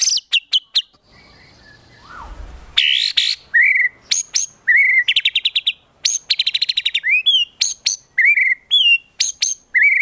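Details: White-rumped shama training recording with 'tembakan' fill for contest birds: sharp high notes, a brief noisy gap, then varied loud whistles, fast stuttering trills and repeated downslurred phrases.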